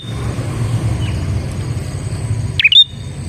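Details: Single sharp, high chirped phrase from a bar-winged prinia, used as a lure for other prinias, ending in a short thin whistle; heard near the end over a continuous low traffic-like rumble.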